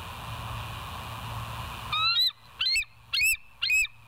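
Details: Bald eagles on a live nest camera at West End, recorded 08/01/2023 at 05:18; after a low rumbling hum, four loud, high, squealing notes with a rising-falling shape sound about half a second apart.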